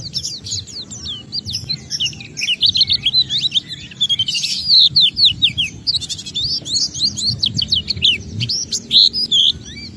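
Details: Oriental white-eye singing energetically, a recording meant to lure other white-eyes into song; long stream of high, fast chirps and slurred whistles, sometimes tumbling together, over a soft low background hum.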